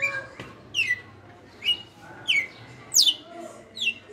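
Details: Captive red-cowled cardinal, a veteran kept for five years, singing in the açoite style: six sharp, downward-sweeping whistled notes, each a quick bright slur, spaced roughly every 0.7 seconds over a quiet background hum.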